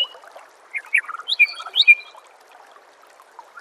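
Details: White-rumped shama song from a master recording for songbird training: a short burst of loud, varied whistles and sweeping notes, some falling and some rising, before a quieter stretch over a constant hiss.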